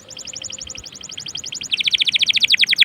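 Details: Canary song played to make other canaries join in: an even, rapid pulsed trill that shifts to a louder, deeper-pitched and faster-pulsed trill toward the end.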